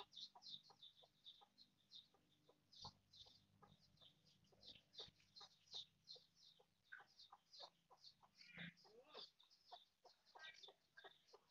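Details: Foraging mother hen giving soft, short, regularly spaced clucks under a steady chatter of high, sharp peeping notes, with faint background rustle.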